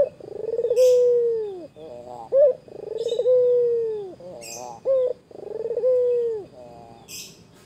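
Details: A white Barbary dove teasing a rival, with three rounds in under eight seconds, each a rolling stutter, a long level coo dropping at the finish and a short clipped note. Occasional high bird chirps sound in the background.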